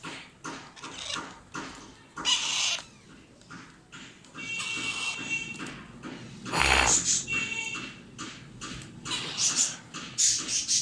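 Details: Hand-fed Alexandrine parakeet chicks keep up rapid, rasping, wheezy squawks that come in quick pulses, then swell into louder, longer harsh cries toward the end.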